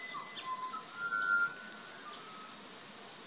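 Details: Pied butcherbird singing in an Australian backyard garden: a few pure, sustained whistled notes, one long level tone held near the middle, over quiet background with faint distant chirps.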